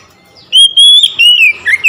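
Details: An oriental magpie-robin sings on hearing another magpie-robin: a long, clear whistle that rises slightly, then descending phrases ending in a quick warble.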